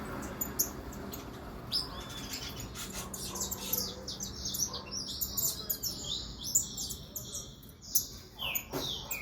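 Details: Saffron finch (canária-da-terra), described as fogosa, delivering a run of high, quick chirps and clipped notes that grow busier and louder toward the end, over a faint low hum.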